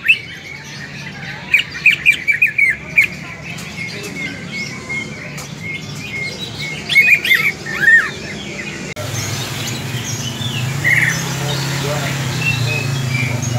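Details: Fighting call of a greater green leafbird, used to train the fighting spirit of other leafbirds: bursts of quick high chirps and twittered notes in short groups, a quieter stretch, then an abrupt change to a louder hissing background.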